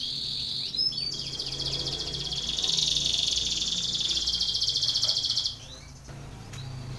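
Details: Belgian canary contest training song: a few rising chirps lead into a long, steady buzzing trill that stops abruptly, with a soft low hum in the background.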